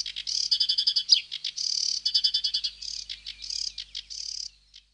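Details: Sedge warbler in full song, packing harsh rattling trills and dry churring notes into dense bursts that fade out at the end.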